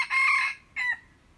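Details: Crowing red junglefowl, 21 February 2025: a harsh, buzzy crow of two phrases, a drawn-out rasping opening and a short dropping second syllable, over low background hiss.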